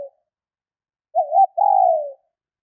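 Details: ['Single female spotted dove call used to excite males, a brief wavering note followed by a sustained gently falling coo, after the tail of a previous call and a quiet pause.']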